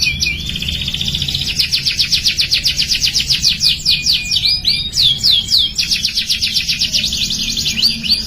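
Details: Training song for young canaries to start singing: long runs of rapid, evenly pulsed trill notes, broken midway by upward-sweeping chirps, then another fast rolling trill, all high-pitched over quiet low hum.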